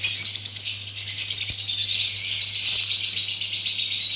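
A flock of lutino birds keeps up a dense, continuous chatter of high, scratchy chirps and twitters, with a faint low electrical hum underneath.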